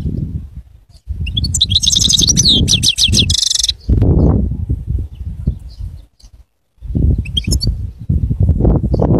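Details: Goldfinch singing a rapid, dense twitter of high, buzzy notes for about two seconds, then a shorter later burst, amid loud low rumbling and handling noise.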